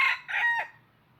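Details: Tail end of a crow from a decoy red junglefowl used for trapping. Two hoarse notes trail into a falling final syllable, then quiet.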